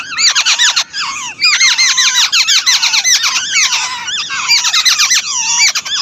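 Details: Chicks begging as their mother feeds them: loud, continuous chorus of high squeaky chirps, many rising and falling notes overlapping rapidly from several young birds.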